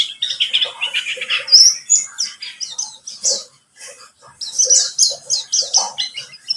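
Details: Buxtomi white-eye lure song intended to prompt singing: a rapid trill of high notes opens into varied chirps and whistles, a quiet gap falls midway, and the lively twittering then resumes.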